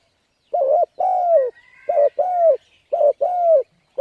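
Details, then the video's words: Spotted dove call used to lure wild birds, three paired coos each a brief note followed by a drawn-out falling coo, with a thin rising whistle from another bird between them. "Cu Gáy Thúc Gù Gáy Cực Phê Kích Mồi Tập Bổi Quá Hay"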